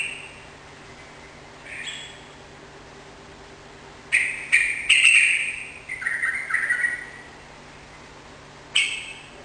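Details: Energetic Sooty-headed bulbul song used to coax a kept bird into answering: two soft introductory notes, then a burst of sharp, bubbling chatter over about two seconds, and a final clear note after a pause.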